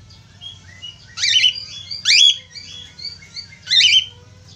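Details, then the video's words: Budgerigar song meant to spur other budgerigars into singing; rapid chattering warble with three loud grating bursts and quieter rising whistled notes between them, low background hum throughout. "Suara pancingan falk /parkit australia cepat gacor"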